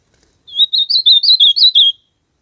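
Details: Azulão, the ultramarine grosbeak, singing a rich warbled phrase of roughly eight quick whistled notes that swoop up and down, lasting about one and a half seconds, loud and isolated in silence.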